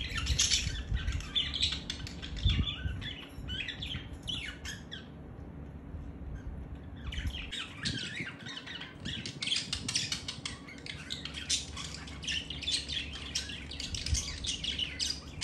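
Budgerigars give a busy stream of scratchy chirps and squawks during courtship, with a brief pause midway.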